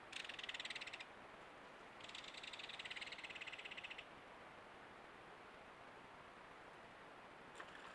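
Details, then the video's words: Belted Kingfisher calling, caught by a trail cam at water level on an old, mostly drained beaver pond in central Alberta: two dry, rapid rattles of about a second each, over steady background hiss. "Belted Kingfisher (calling)"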